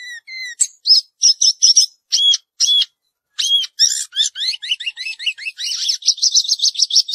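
A Chinese Hwamei sings a rich, varied run of loud whistled phrases, some slurred and rising, others quick and repeated, speeding into a dense warbling finish.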